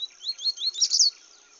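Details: Paca capim singing in the bush: a quick run of high, thin whistled notes, each slurred upward, speeding into a brighter cluster of sharp chirps before fading, with a steady faint hiss behind.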